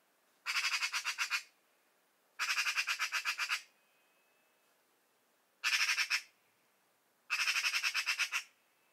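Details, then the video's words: A Eurasian magpie near El Portil, Huelva, Spain, in early January 2023, gives four harsh, rattling chatters, each a rapid run of about eight to ten dry notes lasting about a second, with brief pauses between. "URRACA COMÚN y SU CANTO"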